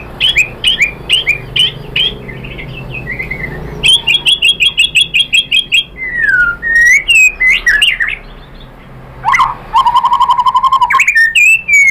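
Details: White-rumped shama song as a lure to provoke singing: fast series of repeated clear notes, looping whistled slurs and a rapid low-pitched trill, mixed with high chips, over faint background noise.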